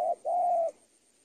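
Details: A single spotted dove coo from tutoring audio for training birds: one clipped note, then a longer, flat, mellow note, followed by silence.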